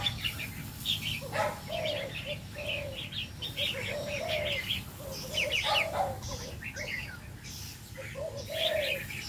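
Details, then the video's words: Red-whiskered bulbul, a male of the 'đầu lân' crest type kept in an aviary. Runs of sharp, lively chirps and warbled notes are set over repeated low, rounded coos and a constant low hum. "chim chào mào đầu lân hót cực hay, Chào chào trống"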